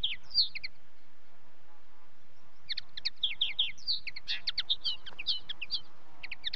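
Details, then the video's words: Linnet song, fairly distant and quiet: a short opening twitter, a pause of about two seconds, then a lively stretch of chirps, quick trills and short whistled notes over low background rumble. "Linnet song"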